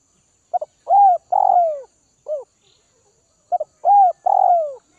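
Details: Spotted dove from Northwest Vietnam, kept and hand-tamed, repeating its phrase twice: two quick stuttered notes, then two mellow coos, the last long and sliding downward, with a short coo between phrases.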